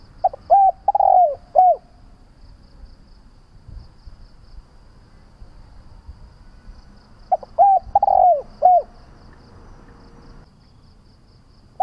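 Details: Spotted dove coos, used to train doves to call and to lure them: two matching phrases about seven seconds apart, each of short coos around a longer down-slurred note, with faint hum between.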